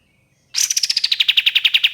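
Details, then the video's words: A burst of ashy tailorbird song used for luring birds: a sudden string of quick, hard, evenly spaced notes, dropping slightly in pitch at the start and then holding steady. "SUARA BURUNG KAPAS TEMBAK NYAUT GACOR DORR"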